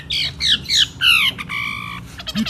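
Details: Long-tailed shrike, a national champion singing bird in one-point style, gives harsh chattering notes and a steady buzzy tone, with brief laughter afterwards.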